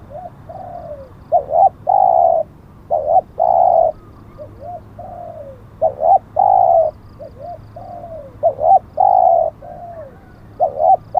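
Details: Spotted dove calling in a decoy-luring session with a wild bird taken: repeated phrases of soft falling coos, double clipped notes and a drawn-out level coo, looping about every two to three seconds over faint low hum.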